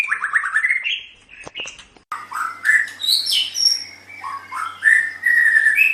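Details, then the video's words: Caged white-rumped shama song meant for training pet birds: a fast run of rising whistled notes, a brief pause with clicks, then varied high chattering and slurred whistles with a faint steady hum behind. "Suara Burung Murai Batu"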